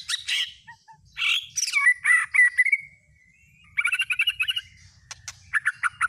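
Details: Lure song of a white-rumped shama meant to stir a kept shama into singing: dense, rapid mix of harsh chattering notes, a long slurred whistle, and quick rhythmic clicks and trills.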